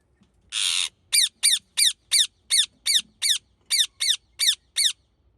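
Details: A long grating squawk from an Indian ringneck parrot opens a run of eleven clipped, shrill screech notes, fairly evenly paced at about three per second, against near silence.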